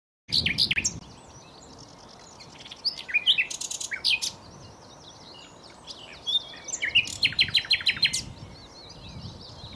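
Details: Common nightingale singing: loud bursts of rapid repeated notes and sharp high chirps alternating with quieter twittering phrases, with brief pauses between strophes.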